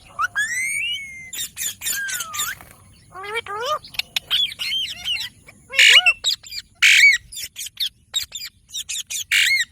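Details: Pet green rose-ringed parakeet talking and calling: harsh squawky bursts mixed with whistled, upward-curving speech-like syllables, irregular phrases spread over ten seconds, with a faint constant high-pitched electrical tone throughout.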